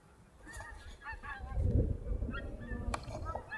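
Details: A small group of Pink-footed Geese lifting off their roost at dawn on a Scottish nature reserve, sixty-two birds counted individually; scattered nasal honks, some doubled, rise over a low rumble of wind and background noise.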